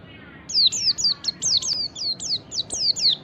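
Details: White-eye lure song, wild ngalas type: a rapid continuous series of about eleven sharp high notes, each sweeping downward, delivered evenly without pause.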